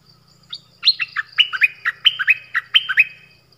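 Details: Nok dok taeng song in the 'phleng boen' style, used for young birds to copy and to excite birds: a quick run of about a dozen sharp chirps that drop from high to mid pitch, over a faint low hum.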